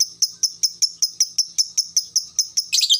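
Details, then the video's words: Fast lovebird ngekek, the prized long chattering of fighter lovebirds, used to spark a response: sharp high chips repeated evenly about five times a second, ending in a dense, shrill, squealing flurry. "SUARA BURUNG LOVEBRID TERCEPAT, bikin cepat respon ngekek"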